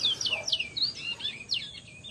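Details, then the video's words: In Valledupar at 5 pm in July 2025, a bajero sings a rapid, varied run of high whistled and twittering notes, sliding up and down without pause, over faint background hiss. "CANTO DE BAJERO"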